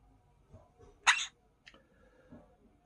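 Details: Quaker parrot imitating a human sneeze: a single short, sharp, noisy burst in an otherwise quiet room, followed by faint small sounds and a click at the end.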